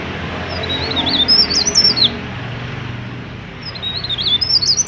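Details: Active mountain leaf warbler song for luring other mountain leaf warblers to sing; two quick bursts of high, thin, slurred twitters separated by a short pause, over a soft low background drone.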